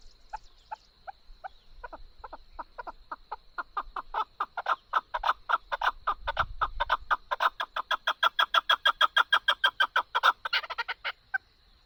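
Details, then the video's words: Chukar partridge, recorded for hunting: sparse chuk notes quicken and swell into a long, rhythmic, rapid series of loud clucks, ending in a harsher burst, then quiet. "Chakoor voice Partridge original Sound|| شیکار کے لیے خوبصورت آواز چکور کا"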